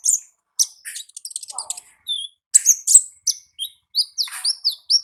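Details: Olive-backed sunbird in the wild giving its ngalas song, a busy string of thin, high tweets and quick downslurred whistles, tumbling rapidly with brief pauses and a softer lower chatter in the middle.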